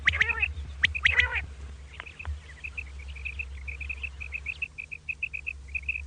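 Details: Common quail calling in the morning: after a few harsh, broad bursts, a long run of short, clipped high notes follows in quick succession over a steady low hum.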